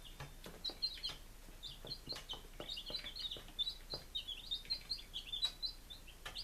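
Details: Baby chicks on their fifth day, Lunenburg, Massachusetts, 23 July 2017: dense, continuous high-pitched peeping, many brief upslurred cheeps in quick succession, mixed with sharp tapping or knocking sounds throughout.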